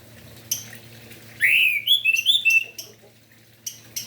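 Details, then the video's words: Orange-headed thrush singing in the morning, a phrase meant to stir other orange-headed thrushes into song: a loud rising whistle followed by a run of varied slurred whistled notes, with short sharp high chips before and after. "Anis merah Gacor Pagi hari - Merangsang emosi dan Birahi Anis Merah"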